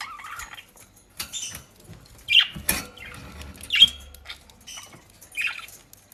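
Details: Pet budgerigars in the Den Haag region of South Holland, Netherlands, feeding on dry leaves and grass bought for them: short high chirps about every second and a half among rustling, crunching and scratching of foraging.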